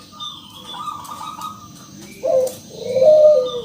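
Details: Local zebra dove in active song, used to lure other doves into singing: a soft steady tone, then two loud, low, throaty coos, the second longer and sliding down.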